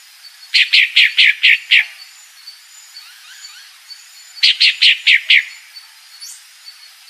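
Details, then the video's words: A female Pale-breasted thrush calls in fast runs of five or six harsh, descending chip notes, with a quiet interval of faint background birds between the two series. "Fêmea Sabiá Branca Barranqueira Chamando"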